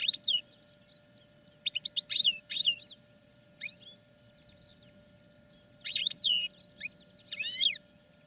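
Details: Training session of caged European goldfinches: short twittering phrases with ringing downward-sweeping notes, a few soft thin calls in the pauses, and a steady faint hum in the background.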